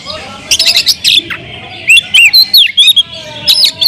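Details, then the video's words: Loud provoking song of an Oriental magpie-robin (kacer): rapid harsh chattering bursts followed by a series of sweet whistled slurs and chips, steadily repeated with short gaps. "kacer gacor‼️suara kicau burung Kacer kemrayak biar kacer lain konslet"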